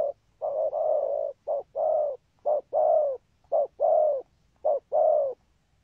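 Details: Spotted dove giving a patterned thúc gù coo. A long opening coo is followed by regular short-then-long hollow coo pairs, steady and low, roughly one pair each second.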